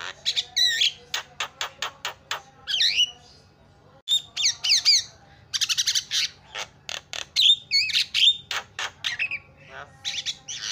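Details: Starling (jalak) song to provoke other birds: rapid clicking runs, twisted squeaky whistles and harsh squawks, delivered in busy phrases with short pauses.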